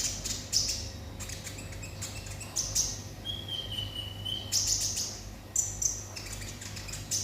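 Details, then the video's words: Olive-backed sunbird song in the 'konslet' style: high, shrill chirp bursts frame one long, slightly falling whistled note near the middle. Faint background hum throughout. "konin konslet"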